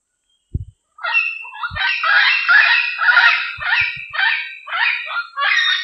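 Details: Diademed amazon calling a lot in the wild: a series of harsh, raspy, broadband squawks in rapid bursts, nearly continuous after the first second, with a few low thumps of handling noise.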